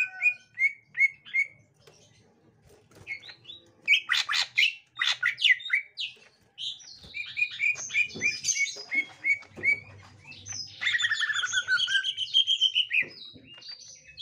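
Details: Green leafbird kept in captivity meeting a young wild green leafbird: spaced repeated chirps, harsh scratchy bursts, then a rapid rising-and-falling chatter of slurred notes over a soft low hum.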